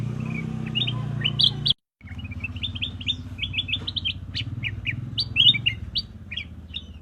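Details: Black-crested bulbul giving a lively run of sharp, high chirps in quick succession, briefly cut by a moment of silence, then continuing in dense bursts over a constant low droning hum.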